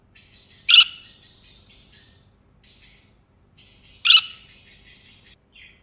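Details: Budgerigar perched on a person's hand, giving two loud, sharp, piercing chirps about three seconds apart, with buzzy, scratchy warbling chatter filling the gaps between them.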